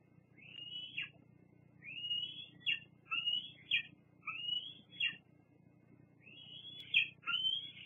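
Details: Squeeing bald eagle at a Fraser Point nest on 8 August 2022; softer, more distant series of about seven high, thin whistled chirps with upturned then falling shapes, spaced irregularly, over a steady low background rumble.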